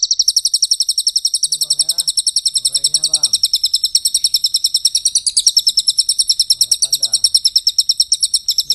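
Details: Javan white-eye in full long, dense rapid-fire song: a high, continuous trill of sharp, evenly spaced notes without a pause, its pitch stepping slightly around the middle, over a faint male voice talking in the background.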